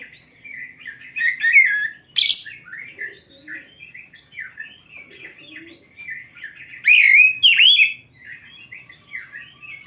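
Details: Energetic "gacor" song of an Oriental magpie-robin, played to coach caged birds in Indonesia: varied rapid whistles, trills and slurred notes in uneven bursts, with two loud looping whistled phrases near the end.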